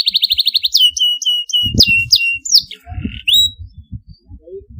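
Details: Canary sounds used to prompt young birds to learn singing: a fast, even high trill followed by sharp sliding chirps, with soft low knocking and rustling in the background.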